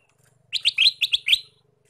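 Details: Male sooty-headed bulbul used as a lure for wild bulbuls: a quick burst of about six bright, bubbly chirping notes lasting a second, with a faint low hum behind.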